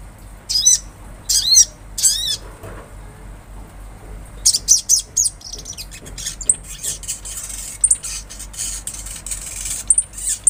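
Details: Olive-backed sunbird singing: three very high sharp chirped notes spaced about half a second apart, then a burst of rapid thin high twitters and scattered ticking chips, with faint low hum.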